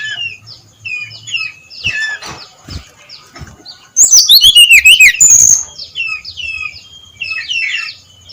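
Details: Early-dawn 'ngeplong' singing of a brown-chested jungle flycatcher, used as a lure to get others singing. Soft chattering phrases lead into a loud two-second cascade of high descending whistles and rapid trills, then quieter notes.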